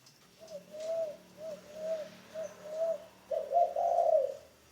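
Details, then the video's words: Spotted dove kept as a ground decoy bird in training calls with three soft paired coos, a short note followed by a longer one, then finishes with a louder, fuller drawn-out coo. "Tiếng chim cu gáy mồi đất"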